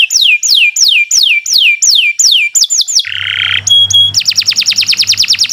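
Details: Continuous canary song for tutoring birds that have gone quiet: slow repeated descending whistled slurs, then a buzzy burst over a low hum, two clear whistled tones and a very fast high trill.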